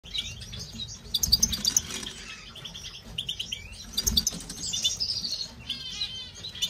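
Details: European goldfinch in an aviary gives quick, tinkling twitters in bright bursts mixed with buzzy trills, with soft low thumps like wingbeats beneath the song.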